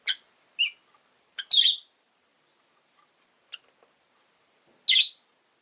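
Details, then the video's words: Five caged rosy-faced lovebirds with orange faces and green bodies, kept by a window, chatter in short bursts: quick harsh chirps, a longer raspy call, a gap, then one more shrill rasping chirp. "Lovebird Chirping Sounds"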